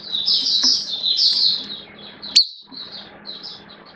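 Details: Oriental white-eye kept as a caged hobby bird, singing a hazy high twittering warble that fades, with one sharp click midway and a low steady hum throughout.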